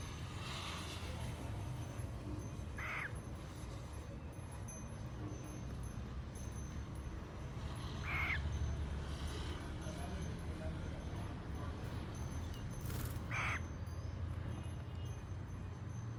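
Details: Pet cockatiels enjoying scratches give three brief, raspy chirps spaced several seconds apart over a steady low rumble.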